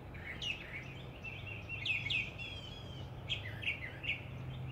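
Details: Common nightingale singing: a run of varied high whistled and chirping phrases, sharp notes and a fast rattling trill near the middle, with short gaps between phrases, over a steady low hum.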